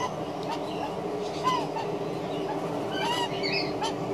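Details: An adult magpie, recording dated 130216, gives a few odd, honking, arched notes, one at a time about a second apart, over a steady hum of background noise.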